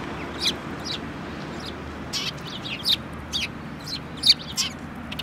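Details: Group of sparrows including one yellow-beaked bird, 24 February 2018; bright, clipped chirps come in loose bursts, several close together near the middle and end, with a constant low background drone.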